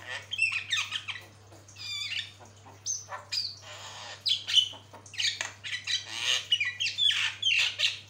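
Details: Javan myna, a master recording of a very vocal bird: a rapid, varied song of harsh squawks, rasping chatter and a few sharp whistles, delivered in bursts with brief pauses; a steady low hum underneath.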